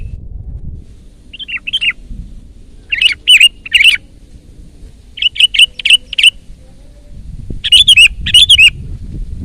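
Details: Short bright chirps from a Sooty-headed bulbul singing loudly in 'gacor' style, bunched in quick groups of three to five notes with pauses between, over light low rumble. The recording is for luring and tutoring birds.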